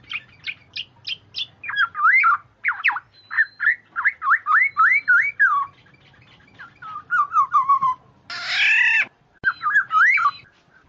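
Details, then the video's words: Lure recording of a black-naped oriole: quick series of short liquid whistled notes for several seconds, a falling slurred phrase, then one long harsh nasal squawk followed by a few more fluty notes. "suara burung kepodang pemikat"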